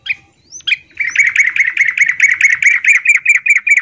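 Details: Breeding-condition female yellow-vented bulbul calling a male, opening with a couple of rising whistles, then a fast, steady chatter of loud chirps repeated about every fifth of a second.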